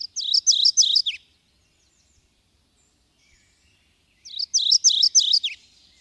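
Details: Subalpine warbler (Sylvia cantillans) giving two short bursts of high, stuttering chatter, each about a second long, separated by roughly three seconds of quiet.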